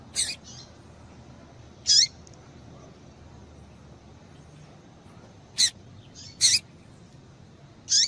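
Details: Female double-collared seedeater calling to excite males into song. Five short, piercing high chips come at irregular intervals over eight seconds, some with a quick downward slur, against low steady hiss.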